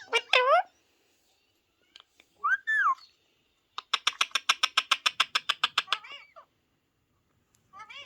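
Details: A talking ringneck parrot, which around this clip repeats words like "hello" and imitates "meow", gives nasal, voice-like phrases, then rattles off a fast run of about twenty clipped, harmonic notes before a final squawky utterance.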